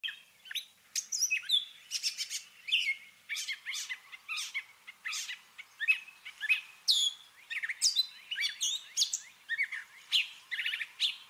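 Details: Gray catbird mimicking other birds in a long, rambling song: a steady stream of varied short phrases, squeaky whistles, harsh chatters and sweeping notes, delivered several per second without a clear repeat, over a quiet background.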